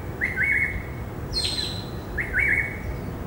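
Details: Saturday afternoon song of a greater racket-tailed drongo in a herb garden on 16 December 2017: a wavy, warbled mid-pitched phrase, a burst of brighter higher notes, then the same wavy phrase repeated.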